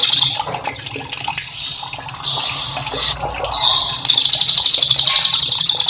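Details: Whiskered Treeswift, a cage bird whose song serves as a master song for training other cage birds, giving high, fast rattling trills in bursts, the last one loud and sustained, over steady running water.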